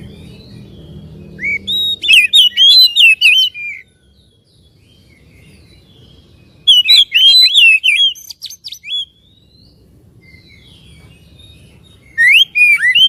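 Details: Oriental magpie-robin, loud ngeplong-style song played to provoke a bird into excitement and tail-spreading; three bursts of fast, varied whistled slurs and high ticks, separated by several seconds of near silence.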